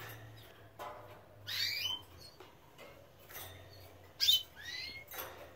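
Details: Young canaries freshly out of the nest give short scratchy high calls. A faint call is followed by a louder raspy burst, then a sharp squeaky note and a rising thin call near the end, over a low steady hum.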